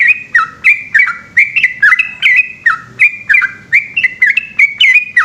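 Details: Trucukan, or yellow-vented bulbul, singing a long ropel at night: crisp, gurgling, up-and-down notes strung closely together in a lively continuous stream.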